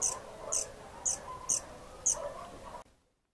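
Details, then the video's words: A black-and-white warbler gives a series of five very high, thin squeaky notes, about two per second, over a soft background hum with lower murmuring sounds. "Chipe Trepador - mniotilta varia"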